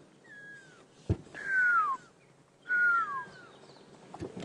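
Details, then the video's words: On a sunrise safari drive in July 2016, a Fork-tailed Drongo mimics a little owl's call, which drongos use to lure owls out and mob them: a faint falling whistle, two loud downward-sliding whistles, sharp knocks. "Yes, it's a fork-tailed drongo. So they mimic the owls to beat them up."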